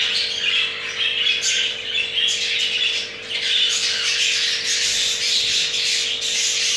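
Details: Captive jumbo crested budgerigar male caught mating, pair with two eggs; continuous scratchy warbling and squeaky chirps with a brief dip near the middle, low hum persisting beneath.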